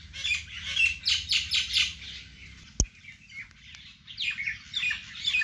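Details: Vegetable garden birdsong: bursts of high, scratchy chirping in rapid groups, a single sharp tap near the middle, then the chattering chorus resumes more loosely.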